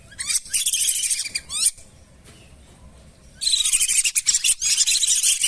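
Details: Lesser whistling ducks in a wetland lure recording: a few sharp arched whistles and twittering, a near-silent pause of almost two seconds, then a loud, dense chorus of high squeaky whistles from many birds.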